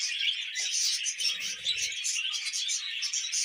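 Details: Happy pet budgies chatter and sing while eating veg, a dense steady warble of sharp chirps and fast squeaky trills, with faint low rustling of feeding between one and two seconds.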